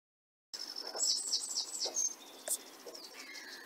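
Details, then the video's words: Sedge warbler singing at the IMF Hide, Burton Mere Wetlands, on 8 June 2014, recorded by mobiscoping. The song is a fast, varied chatter of high, scratchy notes mixed with short whistles and buzzes. The notes come in quick bursts, then trail off. "Singing sedge warbler"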